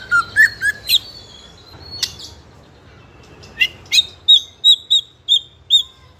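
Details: Young spotted White-rumped shama of fighter type, singing continuously as a lure for other juveniles; low whistled notes and sharp chips, then a steady run of seven clear high whistles at an even pace.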